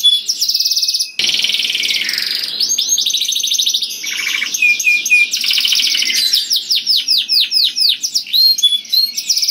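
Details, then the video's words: Loud, melodious canary song meant to draw other canaries, made of dense buzzing trills followed by runs of quick repeated sweeping notes that speed up and tumble along without pause. "Burung Kenari Bunyi Gacor Merdu dan Keras Cocok Sekali Untuk Pancing Kenari Lain || Voice of Canary"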